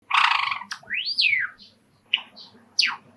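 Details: Pet Java sparrow, a male of the cream-and-rose form, singing indoors by an open screened window, excited by house sparrows calling from a park outside: noisy broad chirps, a rising-then-falling slurred whistle, then short sharp notes.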